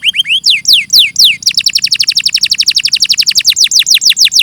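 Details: Canary song, a clean master recording: a few slow sweeping downslurs, then a long fast trill of bright descending notes that gradually spreads out.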